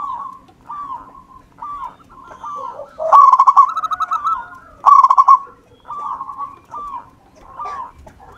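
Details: Local wild-type zebra dove singing: gentle curved coos at a steady mid pitch, then two loud, fast-stuttering rolled phrases in the middle, followed by more soft coos.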